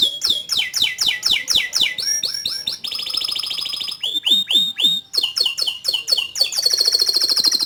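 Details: Long canary song passage: quick repeated downward-sweeping chirps, a brief steady buzzing roll, more looping whistled notes, then a high rapid trill to finish.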